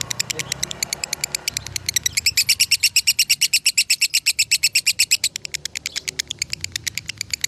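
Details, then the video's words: Konslet-style lovebird from Salatiga, rated 8400 points, builds from quieter chirps into a long, loud, machine-like rattle of rapid high notes that fades slightly toward the end. "Masteran Lovebird Konslet ASLI"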